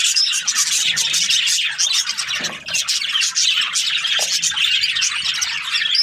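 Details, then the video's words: A group of budgerigars chirping in the morning, with busy overlapping high twitters and squawky notes. The chatter dips briefly in the middle, then resumes at full density. "Amazing budgies chirping sounds in the morning"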